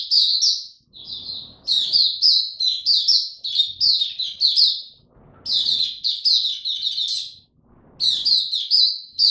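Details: Kept white-eye singing its opening song in peak form, 3 January 2022: bursts of shrill, fast chattering twitters, each about two seconds long and separated by brief gaps filled with soft low rustle.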